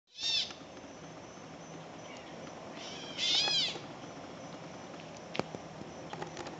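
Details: At dusk a Gray Catbird starts the chorus before a mockingbird joins in, giving two short, high, slurred mewing notes about three seconds apart, then a few sharp clicks near the end.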